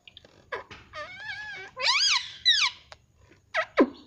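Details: Indian ringneck parrot kept as a pet calling indoors, a run of wavering harmonic notes leading into loud rising-falling squawks, then sharp clicks.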